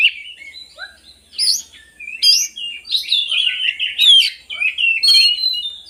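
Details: Lure song of an oriental magpie-robin (kacer) for lazy birds: loud warbling phrases with upslurred whistles, harsh rasping bits and a rapid high trill toward the end.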